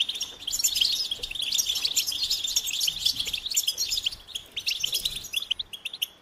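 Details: Singing goldfinch delivering a fast, continuous stream of high, jingling twitters and buzzy trills, slightly thinning toward the close.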